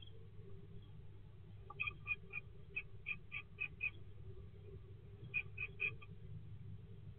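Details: Great tit at its nesting box, 20 February 2024: a quick series of about eight short, bright, evenly spaced notes, then a pause and a second burst of four similar notes. Constant low hum in the background.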